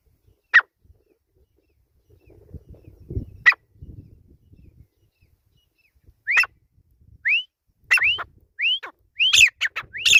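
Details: Grey francolin giving sharp isolated notes, then after a pause a run of loud rising whistled upslurs and harsh ringing bursts repeated about every half second, with faint low rustling noise in between.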